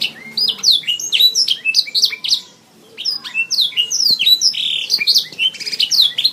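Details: Canary delivering continuous high song for a bird-training recording: quick chirped notes, downward-sliding whistles and rattling trills, with a brief lull after two seconds before the stream resumes.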